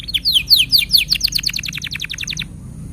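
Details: Tutor song for young canaries and canaries that stopped singing. A fast string of sweeping chip notes, loud at first and then softening, repeated about eight per second before stopping abruptly.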